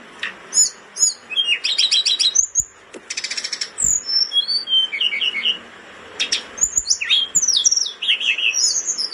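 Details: Caged blood-breasted flowerpecker in breeding condition, singing hard as a tutor bird: bursts of very high chips and rapid rattling trills, sliding whistled notes, a pause, then a fast jumble of high twittering.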